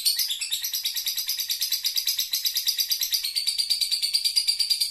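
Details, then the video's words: Pet lovebird in ngekek, its long chattering song, repeating piercing, scratchy notes about three times a second, the tone sharpening slightly in the second half. "Lovebird Doraemon kembali ngekek dengan durasinya kembali"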